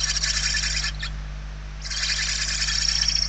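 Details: Barn owl young begging inside the nest, Spain, 28 November 2023: a harsh, buzzing hiss for about a second, a brief quieter gap, then a second longer rasping hiss, all above a low constant hum.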